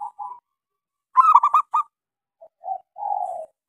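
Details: Zebra dove of local type, small-voiced, lure song to make quiet doves sing: two soft coos, a loud rapid burst of clipped notes, then short coos ending in a longer level coo.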